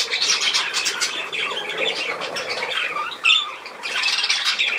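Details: Budgerigar calls: steady scratchy chattering with brief rising whistles, a louder sharp squeak near the end, then more chatter.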